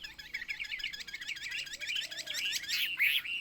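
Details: Chinese hwamei (wambi) heard at lower volume, rattling off quick hooked whistle notes several per second, ending in a brief brighter burst.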